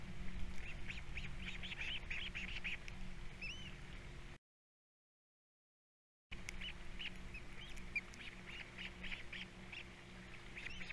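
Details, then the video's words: Three osprey chicks at a nest on Captiva at feeding time in 2022, the youngest especially active. Quick runs of short, sharp chirps with a few rising whistled slurs, repeated rapidly. A steady low hum sits underneath. "All 3 osplets doing well, #3 especially at feeding time"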